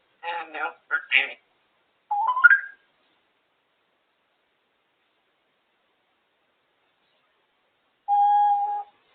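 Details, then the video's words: African grey parrot, a female kept as a pet, on top of her cage making her noises and talking: short burbling and rising whistled sounds in the first three seconds, then a long silence and one steady mid-pitched whistle near the end. "African grey parrot making her noises and talking on top of her cage"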